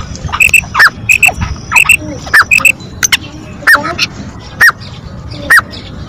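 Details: Female black francolin, a mixed recording of its lively call: short, bright, down-hooked notes repeated about once a second, some in quick pairs, with clicking and chirping sounds in the background.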